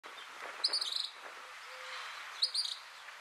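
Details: A Northern Mockingbird (subspecies orpheus) in Havana, Cuba, in July 2017 sings a short, high, scratchy phrase, then repeats it nearly two seconds later, over a soft hiss of background noise.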